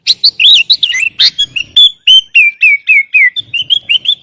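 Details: Sooty-headed bulbul lure recording with rich fill-in phrases: a chirpy, fast run of short high whistled notes, some rising and some dipping, delivered almost without pause.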